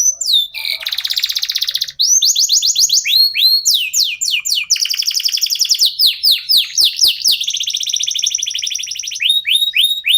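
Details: Local canary (kenari lokal) in nonstop song meant to coax other birds into singing; varied phrases of fast upslurred whistles, buzzy trills and sharp clicks, with almost no pauses.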